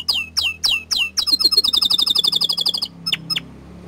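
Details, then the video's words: Young canary singing energetically: several separate descending chirps, then a fast, even trill of bright repeated notes lasting over a second, ending with two sharp calls over a low steady hum. "Kicauan Burung Kenari Muda Gacor Standart Kecil MANTAP !"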